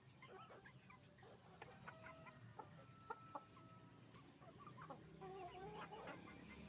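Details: Roosters and hens at a chicken farm, busy overlapping clucking around four notes a second, two sharp clicks midway, and a longer wavering crow-like call in the final seconds.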